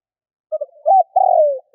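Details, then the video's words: Brief spotted dove coo of the 'kích bổi' kind used to excite decoy birds: soft low opening notes swell into a rich purring note that slides down, with the start of another note at the end. "Cu gáy Kích bổi / Tiếng cu gáy gọi bôi"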